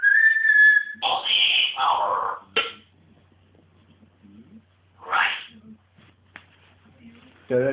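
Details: Pet African grey parrot indoors, wildly excited. It gives a steady whistled note, then harsh broadband squawks and sharp clicks, with quiet pauses between outbursts and a final rough squawk.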